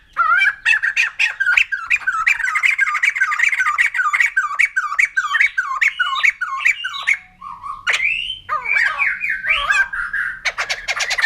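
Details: Loud, rollicking laughter of a white-crested laughingthrush: a long run of quick, dipping cackles delivered in an even rhythm, a short pause, then harsher rising squawks and a final dense burst of chatter.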